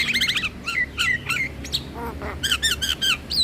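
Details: Javan myna song meant to lure mynas and starlings: rapid runs of ringing whistled notes in stepped series, interspersed with scratchy rasps and a lower nasal burst midway, delivered almost without pause.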